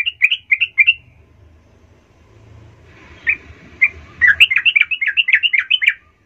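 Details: Sooty-headed bulbul singing a lure song meant to stir other bulbuls into answering: quick bubbly chirped phrases, a pause with faint background noise, two isolated notes, then a rapid run of loud, bright, warbled notes.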